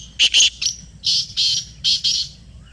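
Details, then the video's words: A black francolin reacts to a played call with two quick sharp rasps, then a series of four buzzy, grating notes in pairs, harsh and broadband. "یہ آواز سنائی تو کالا تیتر بول اُٹھا . Kala Teetar Ki Awaz | Black Partridge Voice"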